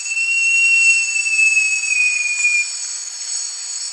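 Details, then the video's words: A great jacamar, Jacamerops aureus, gives a prolonged clear whistle that begins bright and eases downward for nearly three seconds before stopping, while shrill insects drone continuously in the background. "O Canto do JACAMARAÇU (Jacamerops Aureus) Bird Song - Great Jacamar"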